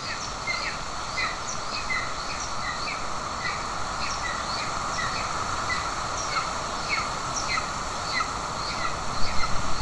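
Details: At a golden eagle nest in Estonia, June 2024, a mother feeds an aggressive chick while the father brings a bird; steady series of brief, high, falling chips, about three a second, over continuous hum.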